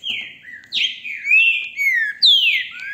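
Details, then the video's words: Phone recording of a caged green-winged saltator at a Brazilian breeder's, singing strong whistled phrases: a falling slur, then a sharp rising note that sweeps down, four bright notes within three seconds. "trinca ferro canto lindo"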